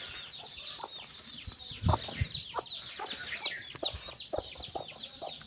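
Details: A hen calls her chicks to come walking with her, giving brief clucks every half second or so, with one louder, deeper cluck, over a busy chorus of shrill downslurred chick cheeps.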